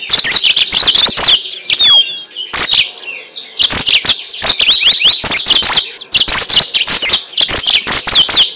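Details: Yellow-fronted canary song played as a lure, a dense high-pitched stream of rapid chirps, trills and swooping whistled notes, delivered without pause for over eight seconds.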